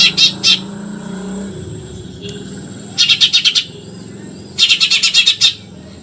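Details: Eurasian tree sparrow in tembakan nyerecet style, short rattling runs of high, buzzy chirps, two brief notes then two longer bursts of five or six, over steady background hum and a faint vehicle-like rumble.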